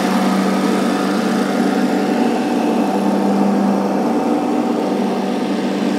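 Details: Steady, loud tractor engine drone near an osprey nest at Charlo, with no animal voices.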